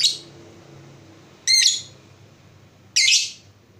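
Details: Lovebird kept as a pet bird, in a lure recording meant to get other lovebirds singing: three harsh, high chirps spaced about one and a half seconds apart, with quiet gaps between them.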